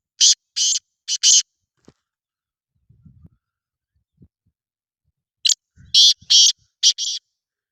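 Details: Black francolin giving harsh, scratchy, high-pitched rasping notes in two clear bouts of three to four quick bursts, separated by a few seconds of near silence with faint low knocks.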